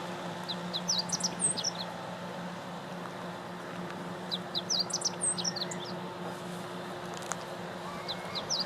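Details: Meadow bunting recorded in April 2017 at Teganuma, Japan: short phrases of quick, high chirped and twittered notes, each lasting about a second and repeated every few seconds, over a steady low hum and faint background noise.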